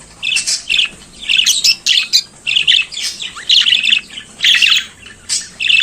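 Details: Budgerigar singing in the morning: clear repeated chirps and twittering phrases in rhythmic bursts roughly every half second, each with squeaky and raspy notes.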